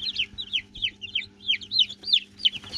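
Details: Newly hatched chicks, still hatching under heat lamps on a dry Saturday after a week of rain, peep continuously: high, shrill downward-sweeping notes overlapping several per second, with a steady low hum underneath.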